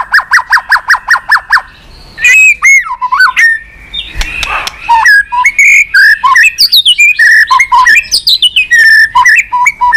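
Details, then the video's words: White-rumped shama, song meant to rouse another bird: a quick burst of repeated harsh notes, then a rich, varied song of whistles, falling slurs and clicks. "Chòe lửa tạch liên tục.dùng Kích Chòe Lửa yếu lửa,kích bổi nhanh lên lửa hiệu quả,chòe lửa đập đuôi"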